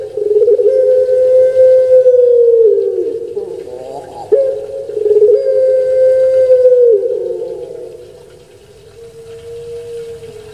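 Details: Barbary dove of the puter pelung type, well-kept in Java, Indonesia, its call likened to 'kuk gerukkk kwokkk': two long, low, sustained coos with a gurgling break between, the second fading to a soft trailing hum.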